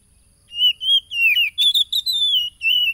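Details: Oriental magpie-robin, phone recording from 30 July 2022 at Tulus Rejo, East Lampung, Indonesia, played to provoke a caged bird into singing. Loud, continuous whistled phrases with slurred rises and dips, in near silence.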